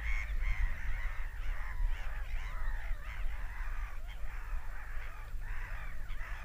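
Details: Overlapping seagull screams, harsh and arching, repeat throughout beneath heavy low-frequency rumble and wind-like noise.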